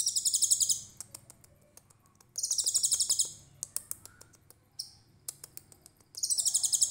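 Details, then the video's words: A konin trotol sings its full 'tembakan cililin' for training songbirds: very high, rapidly pulsed trills recurring every few seconds, each about a second long, with brief clicks and short chips in the pauses. "KONIN TROTOL GACOR VIRAL 2021 FULL TEMBAKAN CILILIN COCOK BUAT MASTERAN"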